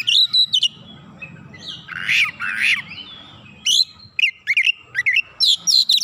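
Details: Kacer, the oriental magpie-robin, in energetic gacor song displaying isian repertoire: sharp high chips, a pair of harsh rasping downslurred notes in the middle, then rapid bursts of looping whistled phrases toward the end.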